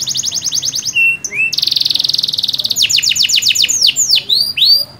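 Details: Canary song intended to get a silent canary singing: rapid trills, a brief whistle, a long buzzy rattle, then a series of arched descending notes.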